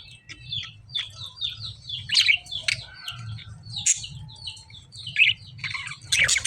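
Lovebirds chirp in a steady stream of shrill, squeaky notes, several each second, with louder harsh squawks breaking through now and then.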